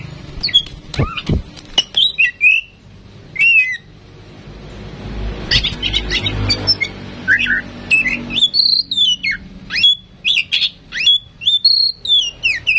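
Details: Oriental magpie-robin female, tame and chatty, used to coax other birds to sing, produces varied whistles and harsh notes, with a loud rumbling noise partway through before quick repeated whistled phrases resume.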